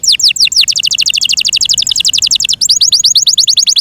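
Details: A Yorkshire canary kept in care sings a few downslurred notes that run into a long, rapid, high rattling trill, ending in quick falling whistled notes.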